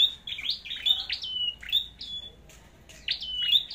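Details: Red-headed flowerpecker singing in a contest, rapid high-pitched ticks and descending slurs running into steady thin whistles, several phrases packed into under four seconds, otherwise quiet.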